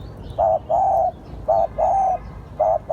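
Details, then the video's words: Spotted dove calling, a recording used as a decoy lure: low, mellow coos, each phrase a short note followed by a longer drawn-out one, repeated three times in quick succession over a faint steady hum. "Tiếng chim cu gáy gọi hay / เสียงต่อนกเขาได้ผล100% / Terkukur / សម្លេងលលក"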